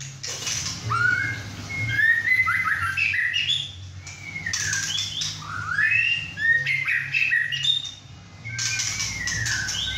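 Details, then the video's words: Young captive male White-rumped shama, 6½ months old after his first moult, singing hard at home with two other birds nearby: varied rising and falling whistles in bursts separated by short pauses. "White rumped Shama – "Imagine" whacking hard"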